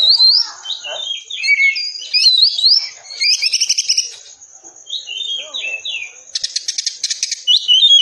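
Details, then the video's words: Oriental magpie-robin song for training caged birds: quick zigzag whistles and buzzy trills over a steady high tone, ending in a fast, harsh rattling burst followed by further whistled phrases. "Masteran Kacer Tembakan Rapat"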